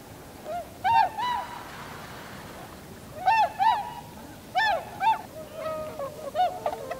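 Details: Wild tundra swans in winter on 7 February 2015, a flock gathering, landing and flying in V formation, recorded on a compact camera with an external microphone: mellow, hooting, slightly nasal honks in scattered bursts of one to three over a steady rushing background.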